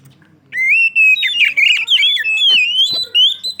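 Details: Oriental magpie-robin singing loudly and continuously, used as a lure for other magpie-robins: after a short quiet start, a sustained run of clear, rich whistled phrases that slide and warble, with brief gaps between phrases.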